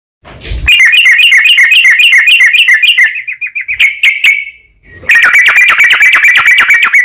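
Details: Sooty-headed bulbul in long, lively rapid song played as a lure so other bulbuls answer: a fast, dense series of sharp ringing chirps, a short tapering pause, then another loud burst of rattling chirps.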